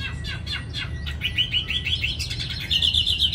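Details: Chinese hwamei in a cage in Hanoi, an eager singer. A few quick falling notes open into a fast chain of rising whistled slurs that grows louder toward the end, with low background hum.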